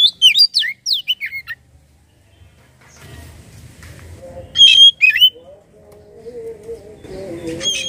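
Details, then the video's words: Oriental magpie-robin song used to prompt magpie-robins to sing: bursts of loud, high whistled notes sliding downward, interrupted by stretches of soft background music with low sustained tones. "Burung Kacer langsung bunyi dengar ini"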